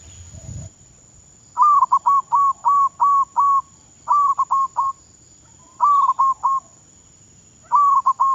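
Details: Zebra dove (perkutut) kept as a decoy bird in training, Thailand: clear, mellow cooing phrases of quick staccato trilled notes near one pitch, bursts of three to five notes with short pauses, steady faint hum behind.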